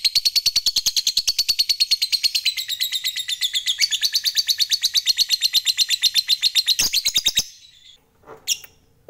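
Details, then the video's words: Fighter lovebird's long ngekek chatter, sung to stir rivals: a rapid high trill sustained for about seven seconds that stops abruptly, followed by a click and one short faint note. "Lovebird Fighter Ngekek Panjang"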